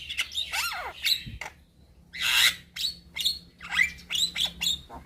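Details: A young Javan myna sings in bursts: looping whistled slides, then a loud raspy squawk, then clipped chattering phrases separated by short pauses, over a faint steady hum.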